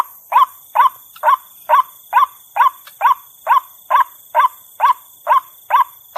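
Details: White-breasted waterhen female calling, played to pull out wary birds; loud, regular croaks repeated a little over twice each second, every note a brief harsh burst with a rising tone, against a quiet background.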